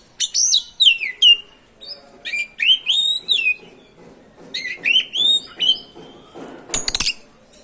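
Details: A magpie-robin sings in rolling ngerol style, used to rile other magpie-robins into song. Rich, varied whistled phrases follow one another almost without pause, some sliding down and others rising, ending with a burst of sharp clicks.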